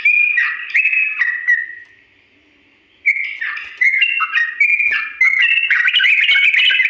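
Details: Yellow-vented bulbul giving slow ropel song meant as a tutor for imitation; bright whistled notes and slurs, a long held tone fading out, then a second run of quick, varied whistled phrases.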